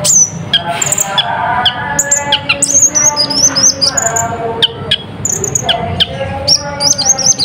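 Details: Olive-backed sunbird of the Natuna form, singing a song full of mimicked phrases, used as a lure to stir up other birds: rapid, thin, high chirps and sweeping whistled notes, with lower tonal sounds beneath.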